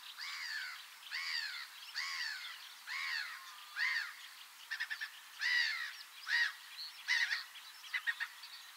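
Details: Black-headed gull (Larus ridibundus) giving harsh, arched, slightly nasal calls about once a second, breaking later into quicker clipped, chattering notes.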